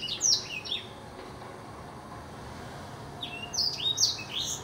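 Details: Blackthroat song in two bursts: a couple of high, slurred, down-swept notes at the start, then a long pause, then another cluster of sharp, high whistles near the end.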